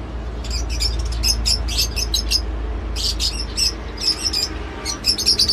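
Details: Bright, piercing lovebird chirps in short irregular groups, each a cluster of quick high notes with brief gaps between, set against a low rumbling background.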